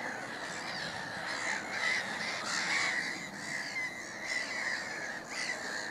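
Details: Noisy black-headed gulls at Middleton / Fishers Mill: continuous raucous chorus of harsh, drawn-out screeching calls from many birds, loud and unbroken.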